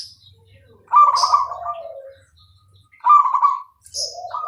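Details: Zebra dove, a perkutut of Bangkok stock, singing clearly: two bright warbled trilling coos near one kilohertz, each sliding down into a lower gurgling note, with a short rising phrase at the end and faint low rumble beneath.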